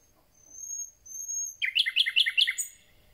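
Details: Just-arrived common nightingale beginning its concert: two drawn-out thin whistles followed by a fast, loud series of about eight rich, falling notes.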